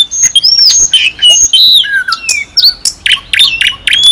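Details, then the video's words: Nightingales (genus Luscinia) sing a rich, varied song of bright slurred whistles, some rising and some falling, mixed with quick sharp chips in rapid succession. "CANTOS DE ROUXINOIS"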